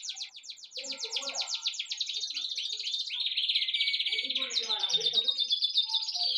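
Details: Birds giving a continuous rapid stream of high, sharp chirps, repeated several times a second. The notes run together into a dense, excited chatter that grows louder toward the end.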